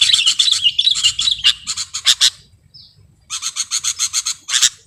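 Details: Sooty-headed bulbul recorded as lure and masteran material: a fast run of bright chattering notes, a brief gap with a short thin whistle, then a clipped, evenly spaced burst of sharp notes.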